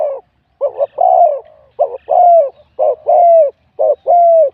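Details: Wild-born spotted dove in a singing competition, scored 87 points, with a voice described as middle-to-big. Steady low cooing phrases about once a second, each a brief double note followed by a long, gently falling coo.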